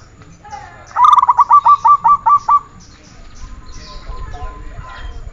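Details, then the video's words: Training recording of a perkutut, or zebra dove: one phrase of about nine evenly spaced, punchy coos, then a faint, noisy background. "Masteran perkutut"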